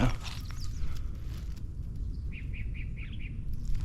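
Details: Yellow-breasted chat (Icteria virens) calling in the Tijuana River Valley, California, on a 2023 morning, possibly with a second bird nearby: a quick run of six short, even mid-high notes, about five per second, over low wind rumble and rustling.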